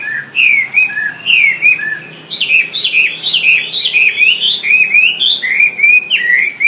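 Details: Caged Wambi singing as a training song for songbirds, a quick run of whistled, warbled phrases with rising and falling notes, sharp chirps and slurred trills repeated almost without pause.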